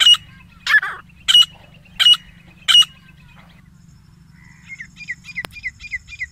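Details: Pair of grey francolins giving five loud, harsh, evenly spaced calls in the first three seconds. A fainter run of short chirping notes from another small bird follows after a brief pause.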